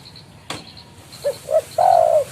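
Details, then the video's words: Spotted dove calling a rival, a recording used for lure trapping: two short low coos followed by one long, steady, slightly falling coo, with a sharp click just before. "BURUNG TEKUKUR/DERKUKU GACOR MEMANGGIL LAWAN COCOK BUAT MIKAT"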